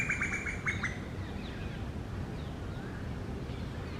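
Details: Rose-ringed parakeets, or Indian ringnecks, a pair making a nest hole in a tree during the summer breeding season. About five shrill, grating squawks come in rapid succession, followed by faint distant chirps over steady outdoor noise.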